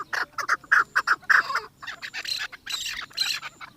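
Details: Chukar partridge from Pakistan, described as the national bird, in an excited state while circling a female: loud, harsh clucking notes repeated in irregular bursts, followed by a quieter run of buzzy, broadband chatter.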